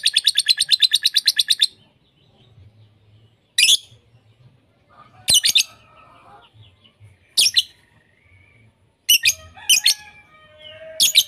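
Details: Lovebird sounds mixed together as a lure for teaching lovebirds varied song: an opening burst of fast high chatter, then harsh squeaky squawks at irregular intervals with faint twittering between them.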